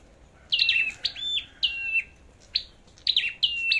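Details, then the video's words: Flowerpecker singing in competition style: sharp high chips with falling buzzy notes and level whistles, delivered in short bursts about every half second. "Chim Sâu Đầu Đỏ Hót Đấu"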